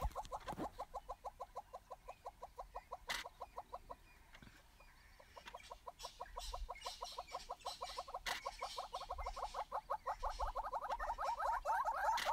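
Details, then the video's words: Courting pair of southern yellow-billed hornbills, wet after rain, bowing on a bare branch: long runs of fast hollow clucks, pausing briefly near four seconds, then resuming and quickening, growing louder toward the end, with a few sharp knocks. "A courting, clucking, bowing pair of wet Yellow-billed Hornbills"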